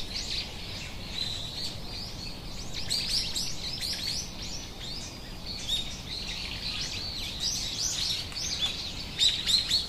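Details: A local male Australian king parrot (Alisterus scapularis) in eastern Australia gives dense, high chirps and short shrill notes tumbling over one another, several per second, over soft rural hiss.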